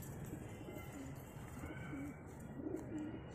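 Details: Low murmuring coos from a pair of Chini pigeons come in short, separate phrases against constant low-pitched background noise.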